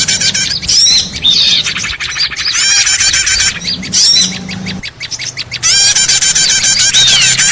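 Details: Small birds in a loud, busy chorus played as a trapping lure: rapid repeated chips, sharp squawks and slurred whistles pile on top of each other, briefly dropping in volume near the middle before resuming at full intensity.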